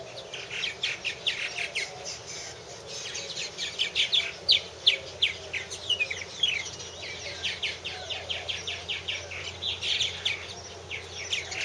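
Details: Long stretch of purple martin chatter at a nest house in 2014: rapid, uneven chirps and liquid gurgles from several birds, continuing steadily throughout.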